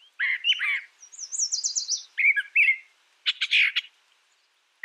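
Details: Brown thrasher song of varied phrases in quick succession: harsh slurred notes, a high rapid trill that descends, then a burst of dry, rattling clicks.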